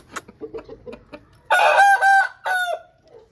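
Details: Aseel rooster of a home breed: soft, scattered clucks lead into a loud crow of three bright, ringing segments that ends with a falling tail.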